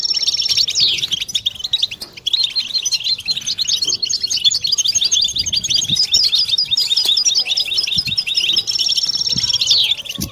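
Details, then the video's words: A group of European goldfinches twittering together, a chorus meant to cure silent birds and stimulate females toward mating song. Dense, fast tinkling notes run nonstop, with drawn-out buzzy trills at the start and again near the end. "بتبتة حسون جماعية ضرورية لعلاج سكوت+تحفيز إنات لحسون قوى بتبتة جماعية لتحفيز حسون على تغريدة تزاوج"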